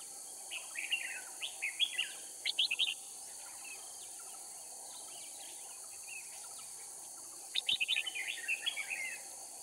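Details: Red-whiskered bulbul used as a decoy in a trapping contest at Kim Bôi, Hòa Bình, Vietnam: short bursts of bright warbled chirps in two groups, with a steady high insect hiss behind.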